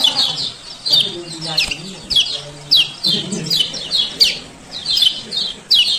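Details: Male kecial kuning (Lemon-bellied White-eye) of Lombok giving ciak ciak calls, used as a lure to coax lazy birds into singing. Rapid high chirps, spaced about every half second, over low voice-like murmur and a few clicks.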